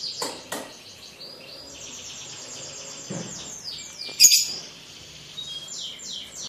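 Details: Young captive lovebird at the mastering stage, aged four months five days, giving its long ngekek song: a sustained, high, buzzy chattering trill running unbroken across the clip, with brief sharp chirps and clicks.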